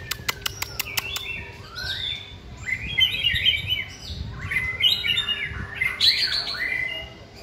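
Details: Caged white-rumped shama singing during a training session, hung on a pole: a few sharp clicks open, then rich whistled phrases with rising and falling slurs and quick trills, loud and varied throughout.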